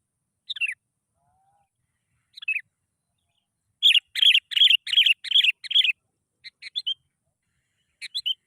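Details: Sooty-headed bulbul (kutilang) song used as a lure to draw out other bulbuls: a few single bubbly phrases, then a quick run of about eight rapid chattering notes, followed by softer clipped notes and two final phrases.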